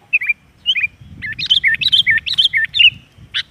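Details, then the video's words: Sooty-headed bulbul, a kept kutilang singing as a lure for training other caged birds: fluid hooked whistles, rising and falling, in a quick run of about ten notes across three seconds, ending with one harsh burst. "Suara pancing kutilang bahan supaya cepat gacor"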